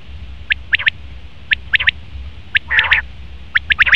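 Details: Male common quail giving its calls as sharp three-note bursts, each a quick triple of clipped notes, repeated about once a second with a coarser rasping note near the end over a low background hum.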